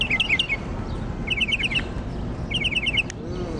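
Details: Mockingbird in Jackson, Mississippi: quick bursts of four to five bright repeated chirping notes, each burst separated by short pauses, over faint low background noise.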